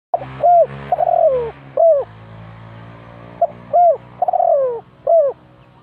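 A Spotted Dove gives two soft cooing phrases, each a short hoot, a rising coo and a drawn-out falling note, about three seconds apart over a low steady hum.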